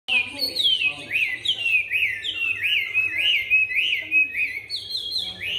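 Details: Caged Chinese hwamei, newly arrived, singing while turning its rump, praised for a supple, mellow voice: a continuous run of loud whistled phrases, many sliding downward, repeated rapidly with barely a pause.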